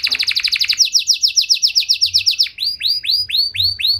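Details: Canary in Indonesia singing a long, ornate song to provoke rival canaries into singing: a fast rattling run of short notes, then separate hooked rising-and-falling whistles.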